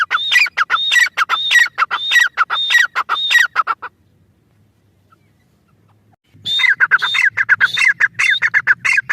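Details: Grey francolin repeating a harsh, squeaky whistled phrase in quick rhythm, pausing for over two seconds, then resuming with a faint low hum in the background.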